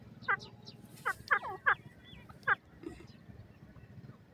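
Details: Grey francolin, locally called bhura teetar: a quick, uneven run of short, harsh, downward-sliding notes, about five loud ones within two and a half seconds, then fainter notes, over a steady low rumbling hum.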